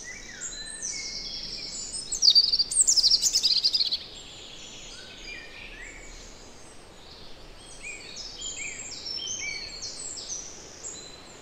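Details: European robin song recorded in the Netherlands, a loud, tumbling phrase of high, varied warbles and squeaks lasting about two seconds, then quieter scattered twitters and other distant birdsong in the background.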